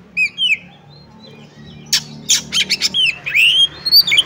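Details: Oriental magpie-robin fighting song in ngobra style with full bursts, meant to test another magpie-robin's nerve: two soft whistled slurs, a cluster of harsh scratchy notes, then bright rising whistles and chattering warbles.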